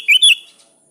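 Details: Sooty-headed bulbul calling a rival: one short phrase of two bright whistled notes, the first rising and the second dipping, over a steady faint high hiss.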